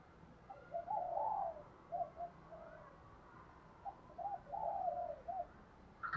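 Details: Spotted dove decoy bird calling in the morning to lure wild doves; soft, fairly faint hollow cooing in two phrases, each built of short notes around a longer drawn coo, over a noisy background.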